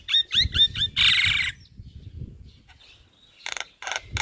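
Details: Javan myna singing hard in daylight outside a house: quick squeaky whistled notes, then a long harsh hissing rasp, a quiet gap with faint low murmuring, and three closing harsh bursts.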